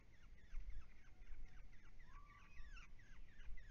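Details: Brown-headed honeyeaters, a pair feeding each other and mating, visiting ponds in temperate woodland; a busy run of short, sharp descending chirps, with one longer level whistled note near the middle, over steady low background rumble.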